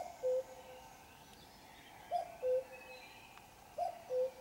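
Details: Three deep two-note cu-coo calls from a common cuckoo, high note dropping to a longer low one, evenly spaced, sung in the dark at 5 a.m. on a Sunday, with faint distant birds behind.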